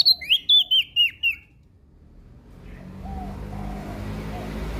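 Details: Lombok prinia singing energetically: six quick, bright chirps each sliding downward, delivered in about a second and a half, followed by a steady low rumble like passing traffic with faint bird notes.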